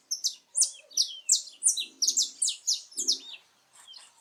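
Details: A wild saffron finch (Sicalis flaveola) sings free in natural habitat, a fast run of high, sharp chirps and slurred notes, about three per second, with a faint low rustle in the background.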